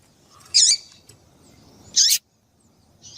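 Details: Female double-collared seedeater calls used to stimulate males to sing: two short, loud, high buzzy chip notes about a second and a half apart, with a faint start of a third at the end over a low background hum.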